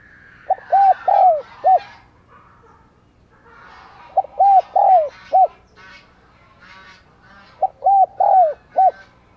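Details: Spotted dove used as a decoy, cooing and calling to lure wild doves. Three bursts of three to four hollow, slurred coos sit two to three seconds apart, with faint rustling and scratchy background noise between them.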